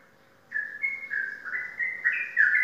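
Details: Champion contest sooty-headed bulbul from Indonesia sings a short burst of loud, sweet whistles, each note sliding slightly and rising toward the end.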